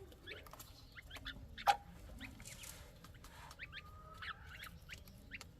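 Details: Chukar partridge chicks calling: a scattered series of short, high, rising peeps, several overlapping, given in loose bursts, with faint background rustling and low hum.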